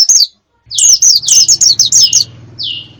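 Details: A lure for wild birds: a burst of sharp, high chirps dropping in pitch, given in quick succession. A faint low hum lies underneath and a single falling note comes at the end.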